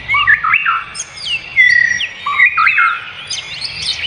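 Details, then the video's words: Bird singing in the wild: clear, loud whistled phrases with sharp rising and falling slides and some high thin notes, delivered in bursts with brief pauses between them. "Suara kicau burung di alam"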